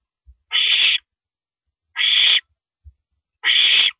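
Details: Night recording of an owl, 1:27 AM, April 9, 2012, during a rabbit meal; three evenly spaced harsh, breathy screeches, each about half a second, with faint thumps between.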